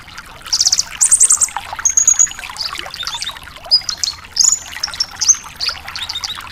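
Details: Javan bush lark singing vigorously for cage-bird training: rapid high trilled phrases, then short sharp whistled notes and brief rattles in quick sequence, over a busy backdrop of fine chattering ticks.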